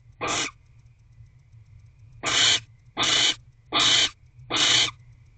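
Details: Female barn owl back in her nest box with eggs, 15 January 2024 at 6:17 pm: five harsh, hissing screeches, each about half a second long, one alone, then four in quick succession over a low steady hum.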